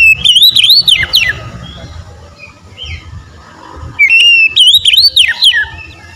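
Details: Oriental magpie-robin giving bright, swooping whistled phrases with quick rising flourishes. Two bursts are separated by a quieter pause holding a few soft notes, and a low background rumble runs throughout.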